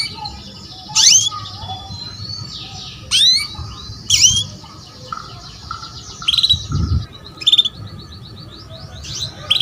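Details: Female canary calls meant to draw a male to sing: rising sharp chirps at irregular intervals, interleaved with soft rapid trills and brief buzzy notes, with a low rumble in the background.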